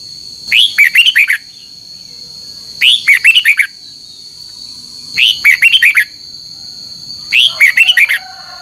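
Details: Red-whiskered bulbul singing a competitive morning song with double notes: four compact bursts of sharp, bouncy whistled notes, each under a second, repeated at an even pace, a thin continuous high hum in the background.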